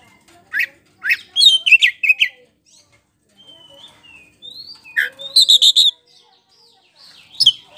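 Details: Lure song of a Black-throated magpie-robin, loud and continuous, meant to make another bird reply: scattered sharp chirps, short gliding whistles and quick bursts of clipped notes, broken by short pauses.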